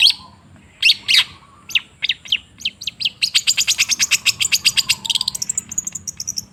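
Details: Cendet, the long-tailed shrike, recorded as a lure to make stalled birds sing. A few loud harsh notes build into a long, accelerating run of rapid sharp chips and a high thin trill.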